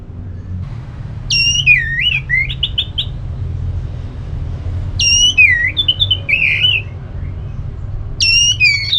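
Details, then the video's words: Orange-headed thrush in ngeplong style, aimed at spurring a quiet thrush to answer: three phrases, each opening with high descending slurred whistles followed by quick chattering notes, repeated about every three seconds over low background noise. "ANIS MERAH LOYO Bakal SONTAK NYAUT GACOR dan EMOSI dengar Kicauan Ngeplong ini"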